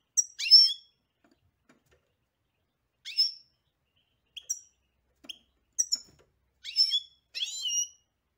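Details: European goldfinch singing in short bursts: scattered nasal, twittering notes and brief chirps separated by pauses, ending in a quick cluster of tinkling notes.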